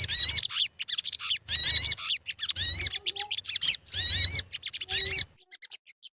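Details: Crimson sunbird, called sogon, singing as a lure: about five separate bursts of loud, high twittering with wavering whistled notes, each lasting under a second, separated by short gaps.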